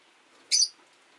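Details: Caged Rosy-faced lovebird, one of five kept by a window on a rainy day, gives a single short harsh chirp while jostling for a perch spot. Faint street hum lies underneath.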